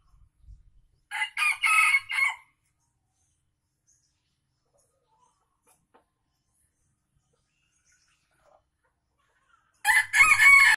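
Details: Lure junglefowl from Aceh crows twice, each a harsh, hoarse burst of about a second. The crows are separated by roughly eight seconds of near silence with a few faint ticks.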